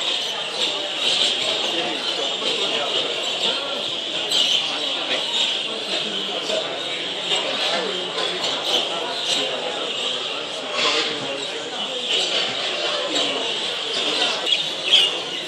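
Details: A crowd of budgerigars at the World Budgerigar Championship 2015, Doncaster Dome, 26–27 September, keeps up a dense, continuous warbling chatter of high chirps and squeaks.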